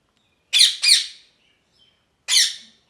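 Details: Two harsh parrot squawks in quick succession, a pause of about a second, then one more rasping squawk.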